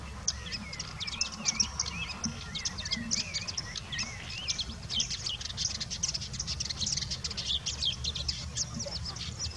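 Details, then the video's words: Woodchat shrike song from Chekfa, Jijel, where it is known as bouares or boulhenni: a busy, scratchy warble of rapid clicks and ticks laced with wavering, looping whistled notes, running continuously over a low rumble. "تغريد طائر الصرد احمر القنة/ الدقناش الاوروبي"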